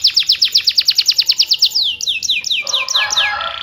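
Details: Canary song meant to prompt lazy canaries to sing: a rapid run of bright descending notes, slowing into wider sweeping slurs and ending in a buzzy chatter.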